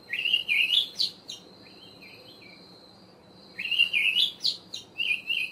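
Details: Olive thrush singing a melodious song with added trills. Two bursts of warbled, slurred whistles about three seconds apart, broken by softer wavering notes, over a steady faint background hiss.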